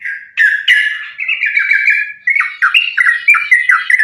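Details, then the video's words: Sooty-headed bulbul in fighting song, played to lure bulbuls to sing: two sharp harsh bursts, a drawn-out warbling trill, then quick bubbly notes repeated in a brisk rhythm. "trucukan gacor tarung sambung ropel ini ampuh buat pancingan trucukan agar bunyi"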